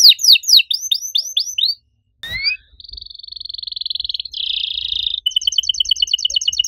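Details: Canary in lively full song with a unique, loud style: fast downward-sweeping whistled notes, then a buzzy sustained trill, a rapid rattling roll and a clipped repeated chirping phrase, with a brief click break.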